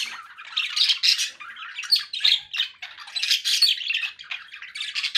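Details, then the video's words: Continuous chattering from a conure parakeet: rapid, scratchy squawks and chirps run together almost without pause, rising and falling in loudness with a few piercing shrill notes. "relaxing conure parakeet sounds"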